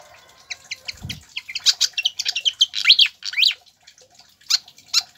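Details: Song of a pied fantail used to get captive birds singing: steady high chips building into a busy cluster of squeaky notes and rising slurred whistles, with a brief low thump early on.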